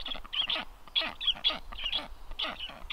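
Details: Black stork calls at a nest on 9 July 2023, caught by a livestream camera while visiting strange storks land nearby. Loud, rough, wheezy bursts come in uneven clusters about every half second, with low thumping noise below.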